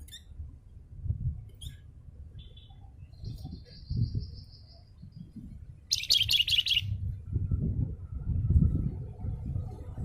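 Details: Javan fulvetta, a singing cage bird, gives a short rapid flurry of high, sharp chirps after several thin, drawn-out whistles. Low thumps and room rumble fill the background.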